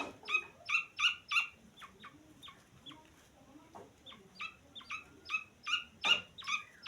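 Grey francolin chicks give thin, high peeping notes in quick series, about two or three a second, some louder and sharper than others.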